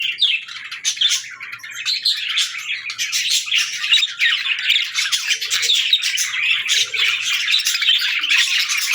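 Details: Budgerigars singing together, a dense flock chorus of chattering, warbling and squawky notes that runs on without a break.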